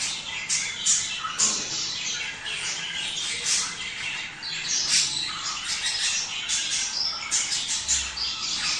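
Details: Mating-stimulation song of budgerigars: restless, scratchy chatter full of quick clicks, chirps and short squeals, rising and falling in loudness without a break.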